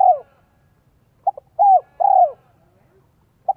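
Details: Vietnamese decoy spotted dove, 'giọng son 1 cốt lỡ' voice, calling to attract wild doves: a falling coo, then a quick double pip and two longer mellow downward coos, in a quiet setting.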